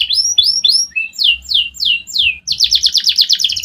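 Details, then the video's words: Canary song used to trigger quick replies from rival birds: rising whistled slurs, then a run of loud falling sweeps, finishing with a fast, bright buzzy trill of rapid repeated notes. "Suara kenari ini yg bikin lawan cepet nyaut"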